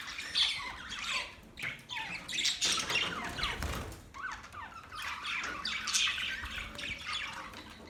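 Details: Budgies, Australian parrots, chirping and chattering: scattered scratchy warbles and short rising and falling chirps with uneven pauses, over a soft low rumble.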